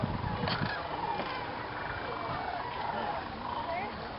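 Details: At dusk, thousands of migrating sandhill cranes assemble in a viewing field at Jasper-Pulaski preserve, Indiana, before flying to their swamp roost; repeated bugling and rattling calls over a constant murmur of the flock.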